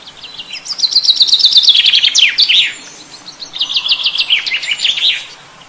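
Two bright chaffinch song phrases, each a rattling run of high notes that tumbles downward and ends in a quick flourish, with a short pause between.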